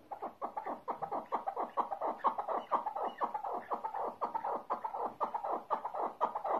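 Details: Rapid, steady chukar partridge clucking, roughly two notes per second, forms a continuous rhythmic chorus. Recorded in Tajikistan, where the mountain partridge is called keklik.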